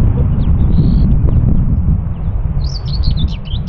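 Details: From Morte Hoe, Devon, UK, a common whitethroat: a brief thin whistle at the start, then a hurried scratchy warble of chattering notes starting toward the end, amid constant low wind noise.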